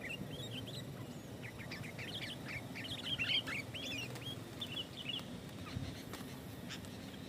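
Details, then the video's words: Vocal sooty-headed bulbul giving dense song used to lure and challenge other bulbuls: a run of short fluty, slurred notes in quick succession, louder mid-phrase, then sparser chirps over constant low background noise. "SUARA BURUNG KUTILANG GACOR SUARA RAPATBIKIN KUTILANG LAIN IKUT GACOR"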